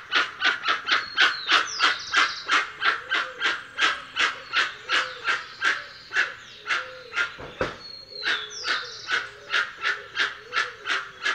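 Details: Dusky-legged guan giving a long, steady run of coarse, barking honks at about three per second, with two brief falling whistles from another bird overlaid and a faint low hum beneath.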